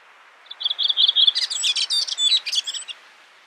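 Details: A Redwing (Turdus iliacus coburni) at Brjánslækur, Iceland, in June 2019 gives a run of quick, high repeated notes, then a scratchy, jumbled twitter lasting about two seconds, against faint background hiss.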